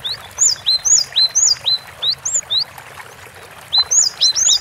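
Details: Gelatik batu, the cinereous tit, singing gacor: clear high whistled couplets, each a lower note and a rising upper note, repeated rapidly, then a pause before another quick series.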